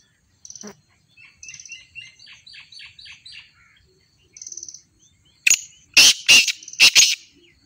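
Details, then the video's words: Black francolin giving loud, harsh, rasping notes in a rapid cluster of about five at the end, preceded by softer twittering and buzzy chirps from small birds in a quiet rural setting. "Kala Teetar Ki Awaz"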